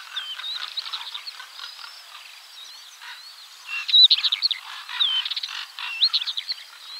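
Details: Northern wheatear giving soft, rapid chattering notes at first, then louder bursts of scratchy warbling with squeaky whistled phrases in the second half.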